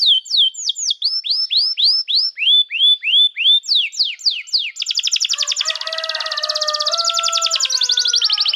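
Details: Canary singing for training young canaries and prompting silent birds: a run of evenly spaced curved whistles, a few steep downsweeps, then a long rapid high trill with lower tones layered underneath.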